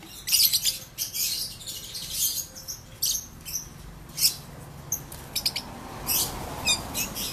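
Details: Kept ombyokan lovebird chattering in the ngekek style, with a long trill of sharp, high chirps in irregular clusters repeated across the clip over a steady background hiss.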